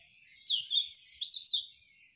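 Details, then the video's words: Birds chirping in the morning outdoors: a quick series of four bright, high, sliding chirps and whistled notes, rising and falling, over about a second and a half against a quiet background. "Enjoy the chirping of birds and the view of nature in the morning."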